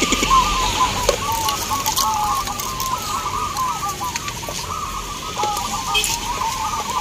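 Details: Perkutut, or zebra doves, singing at a local contest in Baratan, Boyolali, Central Java; many birds produce rapid, bubbling coos in a near-continuous chorus, broken by occasional sharp clicks and background hiss.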